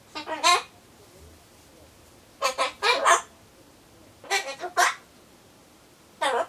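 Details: Pet Solomons corella talking to itself indoors while waiting for pumpkin, seemingly saying goodbye phrases; four loud bursts of harsh, harmonic, speech-like syllables separated by short silences.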